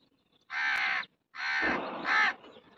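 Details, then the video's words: Indian crow giving two rasping caws: a short harsh one, then after a pause a longer, drawn-out caw that swells louder toward its end before trailing off. "Indian Crow cawing kauwa crying ro raha"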